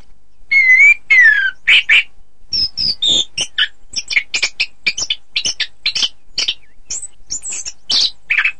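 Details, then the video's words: Orange-headed thrush song meant for contest training: opens with a clear wavering whistle and a long falling one, then a rapid string of varied sharp chirps and squeaky notes, about two per second. "Suara Kicau Burung Anis Kembang"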